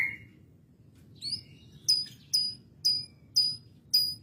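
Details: Canary with a lovebird-style fill: a short whistled note and a brief warble, then five piercing high chirps spaced evenly about every half second.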